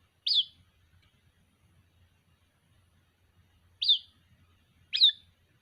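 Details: Young white-breasted waterhen calling its mother: three high, thin, quickly rising and falling chirps, the first alone and the last two about a second apart after a pause, with faint low hum behind.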